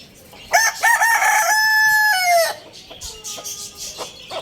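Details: Loud crow from a Lohmann Brown rooster at Lalukhet bird market: stepped opening notes, then a long, steady, harmonic held note that drops at the end. A fainter second crow and small birds chirping follow.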